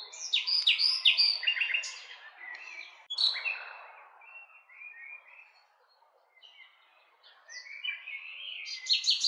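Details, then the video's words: Nightingale song opening with loud rapid trilled phrases, then a sharp click, quieter whistles and a long pause before a rising, strong trill returns at the end. "Cantec de privighetoare - Nightingale's song"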